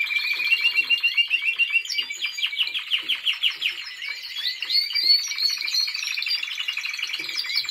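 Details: Timbrado Español canary in training, 2023: vigorous song of fast pulsed rolls repeated in quick bursts, mixed with clear twittering notes and higher tinkling phrases, loud and unbroken throughout.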